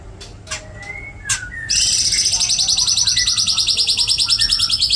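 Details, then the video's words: White-rumped shama singing a rich song filled with cililin, jenggot and kapas tembak material: a few sharp high notes and a soft whistle, then a loud, very fast run of high buzzy repeated notes, about three per second, to the end. "MURAI MATERI MEWAH ISIAN CILILIN NYAMBUNG JENGGOT NYAMBUNG KAPAS TEMBAK"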